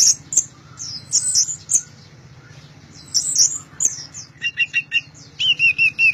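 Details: An orange-headed thrush sings loudly, gacor teler style: high chattering phrases and then a run of clear, repeated, slightly falling whistled notes, with a constant low hum.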